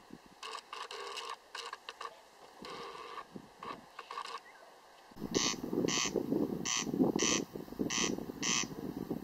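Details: Corncrake (Crex crex) giving rasping, buzzy double-pulsed calls in the second half, each harsh burst repeated about twice a second, over a low rumbling background; the first half holds fainter, jumbled rasping sounds.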